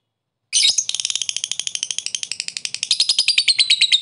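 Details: Lovebird sound used as therapy to make a quiet, reluctant bird active and singing again: a sudden start into rapid, shrill chirps repeated several times a second in a long unbroken chattering run, indoors.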